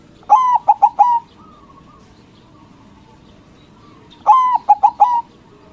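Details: A local white zebra dove sings loudly to draw answers from rival doves; two identical phrases about four seconds apart, each a long note followed by quick stuttered notes and a drawn-out ending, with soft notes between.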